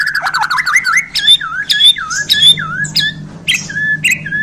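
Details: Freshly handled Borneo white-rumped shama pouring out 'isian' song: a tumbling run of looping whistles, then repeated swooping notes capped by sharp clicks, roughly two a second, over low hum.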